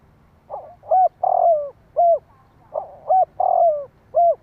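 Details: Spotted dove calling to stimulate other doves, giving soft lead-in notes, a drawn-out falling coo and a sharp rounded note, the phrase repeated twice in quick succession against quiet background hum.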